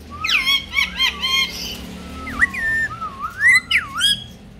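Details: Pet ringneck parrot trained to speak Urdu and Hindi; rapid chattering notes, then a string of gliding, word-like whistled syllables rising and falling in speech rhythm.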